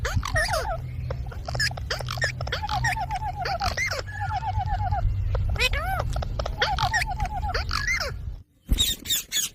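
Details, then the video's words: Pet green parrot talking: a run of tonal, harmonic syllables with swoops and short repeated notes, a brief silence near the end, then a few sharp bursts, over a steady low rumble. "Parrot Talking video"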